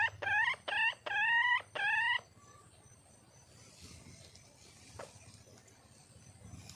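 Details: Female wild junglefowl seeking a male: four loud, high, rising harmonic calls in rapid succession over two seconds, followed by near silence with faint background hiss.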